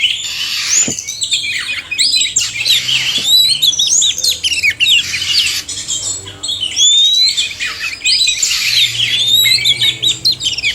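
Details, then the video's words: Male and female oriental magpie-robins singing together, used to stimulate reluctant birds into song: a dense, continuous stream of varied high whistles, rapid chirps, sweeping slurred notes and harsh squawky phrases overlapping without pause, with no other clear sounds. "suara kacer/sekoci jantan dan betina merangsang bunyi"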